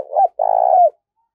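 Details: Decoy spotted dove cooing to call in new wild doves: a short low coo followed after a brief gap by a longer, steady, slightly vibrating coo that falls away at its end.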